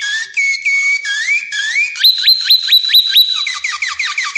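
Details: Belgian canary delivering whistled glides that rise in steps, followed by a series of quick sharply falling swept notes, about five per second, ending in softer descending chips.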